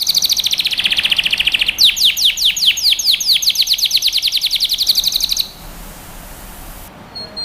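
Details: Singing canary used as a tutor for young birds: a very fast rolling trill, then a long series of rapid down-slurred whistles, ending in near silence with a faint high note.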